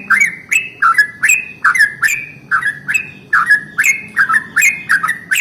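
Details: Yellow-vented bulbul singing a long rolling morning song, used to provoke other bulbuls into song: a steady run of short bubbling, slurred chirps, each dropping in pitch, about a dozen notes packed close together.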